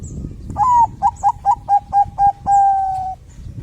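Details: Bangkok-type zebra dove singing vigorously, used to prompt other doves to sing: a long opening coo, six short clipped coos, then one drawn-out level coo over a low background hum.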